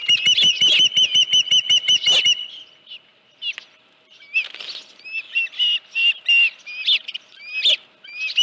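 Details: Osprey at the nest with a headless fish, 31 July 2018, about 9:43 a.m. A fast run of loud, shrill chirps opens the sequence. After a pause, scattered, varied whistled notes and rustling follow.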